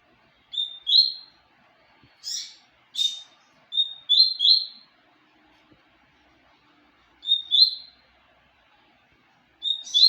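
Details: Papa-capim seedeater giving short, high whistled notes and quick chirp pairs, spaced irregularly over about ten seconds, with a few buzzy upsweeps. The background is quiet.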